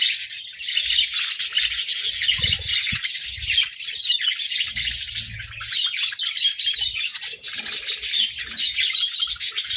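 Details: A flock of captive budgies squabbling over treats keeps up loud, dense chirping and chattering throughout, bright and busy with barely any gaps, and faint low bumps beneath.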